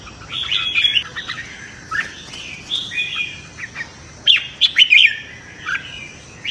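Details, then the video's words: Red-whiskered bulbul singing in the morning in a competitive bout meant to train the voice and provoke newly caught birds. Short whistled, slurred phrases repeat with brief pauses, loudest near the end. "Chào Mào Hót Đấu - Chào Mào Hót Sáng Luyện Giọng Kích Bổi Hót Đấu Căng Lửa"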